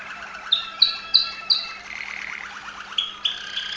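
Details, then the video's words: Waterslager Malinois canary from Veliko Gradiste, Serbia, singing: a few sharp whistled notes, then a low rolling, bubbling trill and a pair of clear high piping notes. "Waterslager Malinois Canary"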